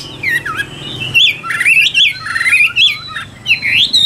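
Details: A captive Chinese hwamei (Garrulax canorus) in Vietnam sings loud, rich phrases of slurred rising and falling whistles, one after another with brief gaps, in a small room.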